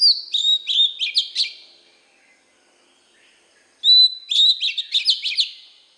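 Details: White-rumped shama singing for training young birds: two phrases of high whistles broken by quick clicking, stuttering notes, with a quiet pause of about two seconds between them.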